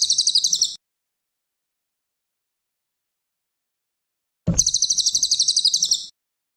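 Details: Champion cililin song kept as masteran training material: two separate bursts of rapid, high, evenly pulsed trilling, a short one at the start and a longer one about four seconds later, with silence between.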